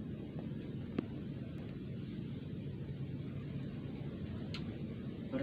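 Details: Steady low engine-like rumble with a few faint clicks, and no animal voice can be picked out.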